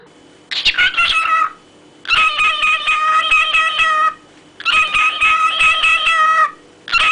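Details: Parrots giving harsh, buzzy, harmonic-rich squawks in drawn-out bursts of about one to two seconds, three bursts separated by short silent pauses, with no other clear sounds.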